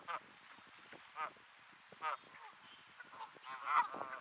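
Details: Grumpy geese at Sainte-Adèle, Quebec, Canada, on an overcast 15°C late afternoon in early May: four separate nasal, harmonic honks spaced about a second apart over a quiet background.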